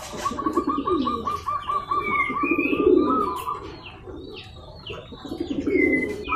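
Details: Local zebra dove calling to goad a rival into replying: a rapid string of staccato notes leads into low rolling coos that recur in bouts, with thin higher whistles from other birds.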